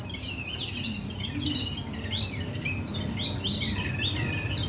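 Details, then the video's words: A crowd of birds twittering at once: high, sharp chirps and brief rising and falling whistles tumble over one another without a break, with a soft low background murmur. "Chirping Sound Of The Birds"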